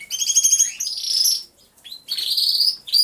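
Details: Several canaries singing together in an aviary, captured by a hidden camera: bright high trills and rapid rolled phrases in two bursts separated by a short pause.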